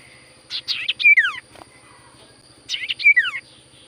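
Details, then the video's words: Sirtu cipoh singing vigorously, meant to prompt silent birds to answer; two bright bursts of quick chirps ending in a clear falling whistled sweep, with a steady high electronic tone throughout. "Burung sirtu cipoh gacor suara paling Top cer sirtu cipoh diam langsung nyaut"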